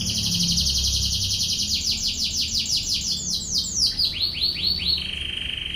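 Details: Canary 'tembakan ngebren' master song: a loud, fast series of bright swept notes sliding downward, slowing toward the end into separate descending chirps, then a soft steady trill, with low rumble underneath.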